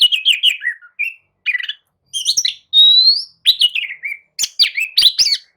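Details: Lively song of an Oriental magpie-robin, a prompt to get other birds replying: rapid chirps and downslurred whistles, a long rising pure whistle midway, then quick chattering notes.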